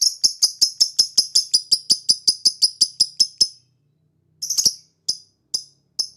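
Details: Lovebird ngekek chatter in the ngetik style, used to prompt other lovebirds to sing: a fast run of about sixteen short harsh, high notes at roughly five per second, a brief silence, then four more spaced notes.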